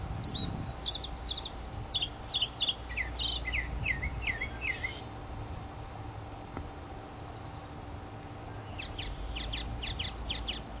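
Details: Mockingbird singing and preening among Florida native plants, 2005: varied phrases of repeated high chips, then downslurred notes in quick series, a pause, and a final run of rapid sharp repeated notes, with low background hum.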